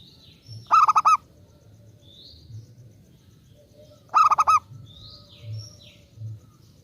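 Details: A local zebra dove sings to entice other doves: two bursts of quick stuttering coos about three and a half seconds apart, with faint, higher chirps from other birds in the gaps.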